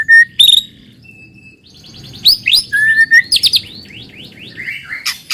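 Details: White-rumped shama lure song meant to make other shamas sing: scattered clear whistles and sharp notes, then a run of zigzagging slurred phrases over a faint low background hum.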